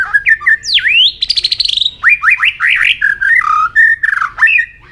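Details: Singing white-rumped shama in a contest, tail flicking: a swooping whistle, a rapid high trill, then rising slurred whistles and varied warbles in a rich many-voiced phrase.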